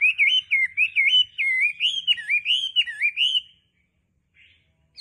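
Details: Melodious wambi song: a fast run of rich, wavering whistles rising and falling, delivered rapidly for over three seconds, followed by silence and a faint short note.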